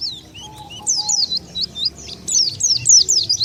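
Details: Oriental white-eye call meant to lure wild birds: a few soft, separate chirps, then louder clustered downslurred twitters in short bursts, with a faint low whistle early on.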